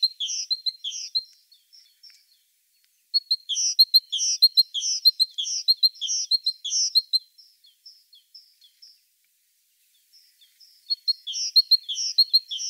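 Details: Great tit, Parus major, delivering its song in bouts: a few seconds of fast, ringing repeated multi-note phrases, a short break, then a longer run of the same cycling phrase, a silent gap, and the song starting again.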